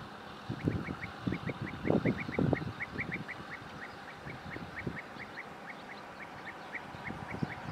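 European bee-eater calling, a steady run of short liquid rolling notes, about three each second, with low thumps and rumble early on.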